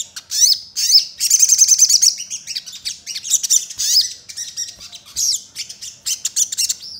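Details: Loud, clean crimson sunbird song with sparrow-style phrases, used to lure sunbirds into singing: piercing high whistles, a fast buzzy trill near the two-second mark, then sharp chips and rising squeaks in quick bursts.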